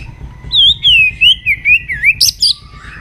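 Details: A white-rumped shama sings at morning voice training, a run of about eight rich, looping whistled notes falling in pitch and ending in a sharp, high burst.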